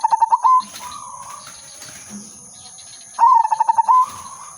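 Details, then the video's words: Silver udanmas zebra dove song used for luring and trapping: a burst of rapid staccato coos flowing into a longer vibrating note, repeated after about three seconds, quieter coos in between and faint steady high hiss. "burung perkutut/merbok silver udanmas gacor manggung irama merdu pancingan dan pikat"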